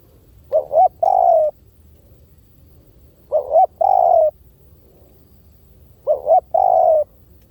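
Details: Three even phrases from a spotted dove in decoy-call style, about every three seconds. Each has a pair of quick rising notes and then a sustained, softly falling coo, with near silence between.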